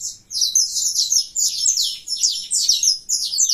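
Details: Colour-mutation saffron finch singing a great deal: very high, dense, scratchy chirping phrases run together in bursts, each about half a second, with brief gaps.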